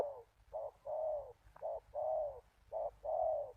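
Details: Spotted dove cooing to lure wild doves: soft, low coos in three short-then-long pairs, about one pair per second, over a faint low rumbling background.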